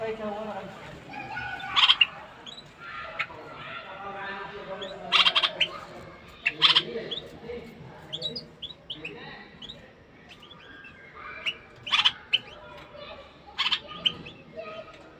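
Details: A bulbul in a cage sings to stimulate the female to mate: sharp, bright notes and short chirpy phrases come scattered over fifteen seconds, some loud and clipped, above a low background of murmuring.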